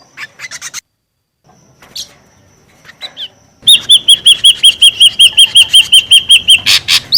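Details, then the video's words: Noisy ashy drongo lure call: after faint scattered notes and a short pause, a steady run of about fifteen bent whistled notes, evenly repeated several times per second, with harsh bursts near the end. "SUARA PIKAT SRIGUNTING RIBUT | SUARA PIKAT SRIGUNTING ABU ABU"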